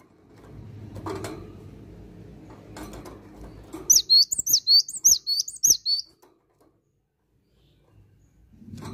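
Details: Cinereous tit singing a quick series of high, sharp two-note phrases repeated about ten times in two seconds, following a stretch of low rustling and handling noise.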